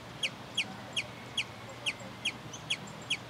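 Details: Sombre hummingbird (Aphantochroa cirrochloris), which uses its song to defend its territory, giving sharp, high chips, about eight in three seconds at a steady, slightly uneven pace, over a quiet hiss.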